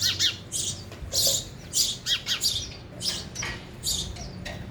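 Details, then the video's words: Lively sparrow chirping at a feeder while they eat: clusters of quick, bright, scratchy notes, some doubled, with brief pauses between bursts. "sparrow sound effect | ચકલી ઘર | chaklino avaj"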